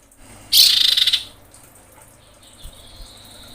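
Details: Female common iora in breeding condition calling males: a loud, buzzy, rapid rattle of about a dozen high pulses lasting under a second, then a faint thin whistle.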